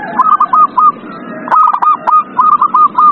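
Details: Zebra dove singing, meant to stir silent doves into song: rapid bursts of three to five staccato cooing notes repeated again and again, some overlapping, over a faint hiss.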